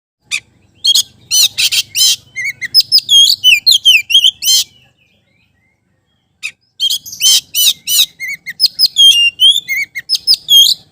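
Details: Oriental magpie-robin in full song, used to spur sluggish magpie-robins into singing: loud varied phrases of whistled upslurs, sharp chips and buzzy notes in rapid bursts, a two-second pause, then the lively medley resumes.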